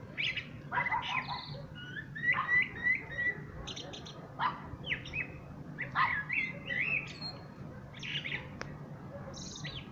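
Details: Common blackbird warbling in a series of short, varied phrases. Low fluted notes mix with sharp high squeaks and clicks, repeated every second or so against a low hum.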